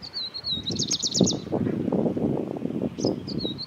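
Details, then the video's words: Franklin's prinia, or grey-breasted prinia, from India: a thin high wavering note leading into a quick burst of five sharp buzzy pulses, then a brief high chirp, over loud low-pitched rumbling noise. "Grey-breasted Prinia Call | Franklin's Prinia"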